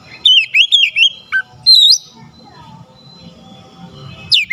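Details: Oriental magpie-robin singing to provoke a lazy bird: a quick run of twittering whistles, a pause, a rising whistled phrase, then near silence with low background noise before a final sharp whistle.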